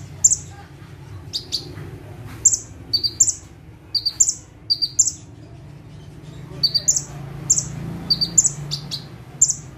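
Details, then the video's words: Bar-winged prinia singing vigorously from a single perch over ten seconds. Sharp high chirps and buzzy notes come in clustered runs with short pauses between them. A quiet low hum continues in the background. "KONIN GACOR FULL TEMBAKAN - CIBLEK / PRENJAK TEBU"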